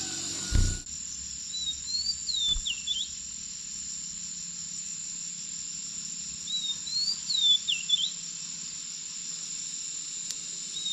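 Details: Grey-breasted Prinia, apparently at a nest, gives two short, high, thin warbling phrases, each rising and dipping, about five seconds apart over a steady shrill insect drone; a thump sounds near the start.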